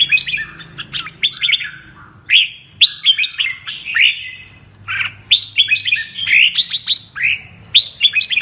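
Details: Red-whiskered bulbul of the 'mơ' type singing in the double-voice (giọng kép) style: rapid clusters of bright, warbled whistles jumping up and down, phrases separated by short pauses, with a low hum underneath.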